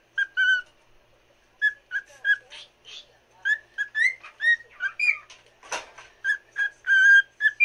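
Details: Cockatiel song aimed at another cockatiel: paired short whistles, a pause, then a quick mix of clear and buzzy whistled notes with one harsh rasp midway.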